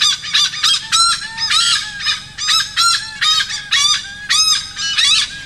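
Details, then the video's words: Malabar pied hornbill calling in Kokan, India: a run of loud, nasal, cackling squawks in quick uneven bursts, about a dozen over five seconds. Quiet background with no other clear sounds. "Call of Malabar Pied Hornbill/धनेश, ककनेर पक्ष्याचा आवाज"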